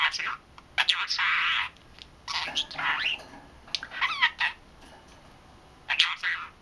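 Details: Pet budgerigar, three months old, chattering to himself; harsh scratchy warbles and squawky bursts with quick rising chirps, in uneven phrases separated by short pauses, steady background hiss.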